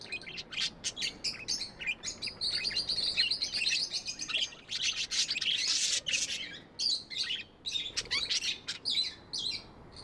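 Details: Pet budgies in lively chatter, a long stream of fast high warbles, clicks and buzzy chirps with brief breaks throughout.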